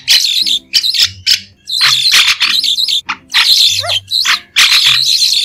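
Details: White-shouldered starling song, free of background noise, made of quick-fire bursts of buzzy, squeaky chatter separated by short gaps, one burst holding a stepped descending whistle.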